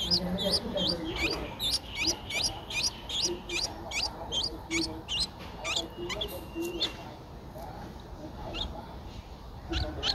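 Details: In Ubon Ratchathani, Thailand, 12 April 2023, a 10-day-old Streak-eared Bulbul chick utters fast strings of high, wavering squeaks for about seven seconds, then falls mostly quiet with a few last notes.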